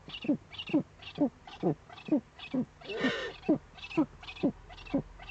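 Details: At an Eifel webcam nest on 23 February 2015, 19:00, a Eurasian eagle-owl male brings the female a prey gift; short sharp grunting notes repeat steadily about twice a second, with one hissing burst midway.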